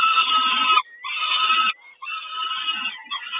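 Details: Mother peregrine falcon brings breakfast to the Kawęczyn nest, 3 June 2022: strident, grating cries in three quick pulses separated by short gaps.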